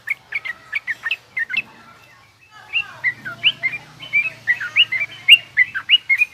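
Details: Yellow-vented bulbul, garuda then rough ngriwik song for tutoring young bulbuls: spaced bright chirps, a brief lull with faint low hum, then a livelier, denser chattering sequence of rising and falling notes.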